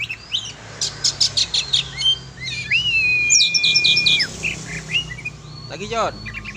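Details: Oriental magpie-robin flown free for sport: a rapid string of high chirps, then a long flat whistle of over a second, followed by clipped twittering notes.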